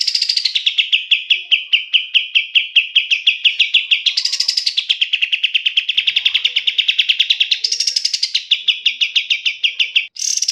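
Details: Kapas tembak, the black-capped bulbul, singing as a training master for songbirds: continuous fast trilled rattle of sharp repeated notes, each phrase opening with a higher rising-then-falling sweep before dropping into a steady chattering run.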